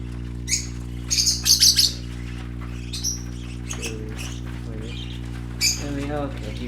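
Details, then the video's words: High, rapid chirps from colourful baby parakeets playing, bunched in a quick burst early on, then sparser, with a person speaking softly and a low hum behind. "Color ful Parakeet Babies playing - Original sounds"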